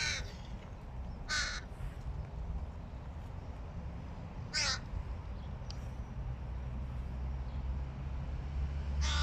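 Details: Fledgling hooded crow trying to eat on its own utters scattered harsh, hoarse caws, one at a time with long gaps between them, against a constant low rumble.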